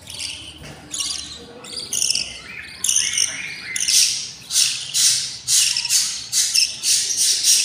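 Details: Hungry budgerigar chicks, six nestlings of a pair, begging in the nest at day 20: loud raspy, hissing bursts, each about half a second, pulsing roughly once a second and building in strength.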